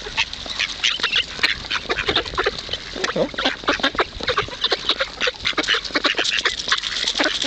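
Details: Several hungry ducks squabble over food at the Kirchsee in Preetz, filling the air with an unbroken chorus of short, harsh quacks and chatter, some deeper notes mixed among the sharper ones.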